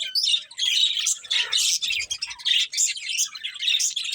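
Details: Budgies chatter indoors in quick bursts of squeaky chirps and scratchy warbled notes, each burst about half a second long, a soft low rumble near the middle.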